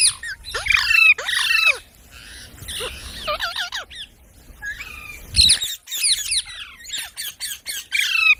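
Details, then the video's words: Parrot giving rapid strings of shrill squawks and downward-curving whistles in clustered bursts, with a quieter patch midway before the loud calling resumes. "Parrot Sounds"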